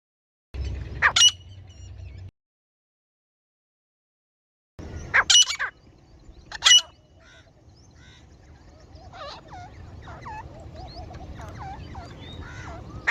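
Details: Female grey francolin hunting call: loud, harsh, ringing screeches in short bursts with pauses between them, followed by faint curved whistles from other small birds; village setting.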